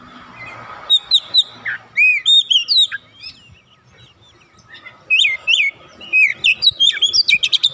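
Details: Untrained oriental magpie-robin (kacer bahan) that quickly joins in singing: loud bursts of varied whistled phrases, upslurs and sharp chirps, separated by quiet gaps, then a fast run of clipped notes at the end; a steady faint hum underneath.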